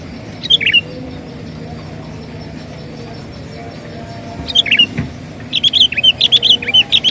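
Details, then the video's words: Sooty-headed bulbul song used as a lure to attract birds: two brief twangy phrases separated by a pause, then a fast, chattering series of high chirps. Faint hum behind. "suara pikat burung KUTILANG gacor"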